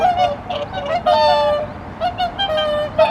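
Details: Whooper swans newly arrived for the season at a pond in Omitama, Japan, on 24 November 2025: a flock giving repeated nasal, trumpeting honks, several overlapping, some drawn out and level, others short and clipped.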